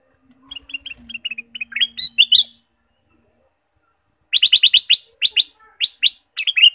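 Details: A ruby-throated bulbul (kutilang emas) in full, varied song: a run of quick, bright chirps climbing into loud, sharp notes, then a pause and a fast burst of ringing chirps, with a faint low hum.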